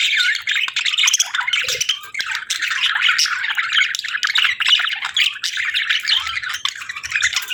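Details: Several budgerigars chirping nonstop, a dense, scratchy chatter of overlapping squeaks and warbles without any real pause.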